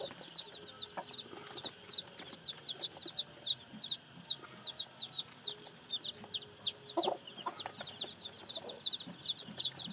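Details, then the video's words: Young chicks just out of the egg give a continuous chorus of shrill falling peeps, nearly three per second, with light rustling and occasional thuds underneath. "Âm thanh gà con mới nở kêu"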